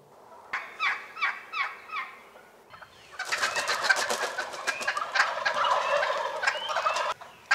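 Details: Early-spring wild turkeys in Rhode Island give four short, evenly spaced notes. A burst of dense, harsh gobbling follows and runs on for several seconds.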